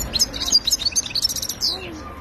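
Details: European goldfinch of the khalwi kind, 2022: close, loud, fast staccato twitters and tinkling notes in quick succession, ending in a buzzy slur, with a man speaking just before.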